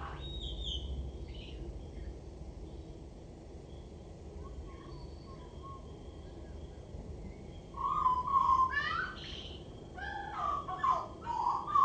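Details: A common blackbird sings from a roof gutter: two mellow, fluting phrases ending in squeaky twitters, after several quiet seconds with faint distant birds and a low background hum.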